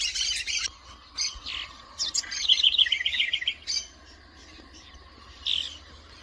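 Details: House wren singing: a long bubbling phrase of rapid, high, jumbled chattering notes lasting about two seconds, framed by shorter bright bursts before and after, over a faint steady low hum.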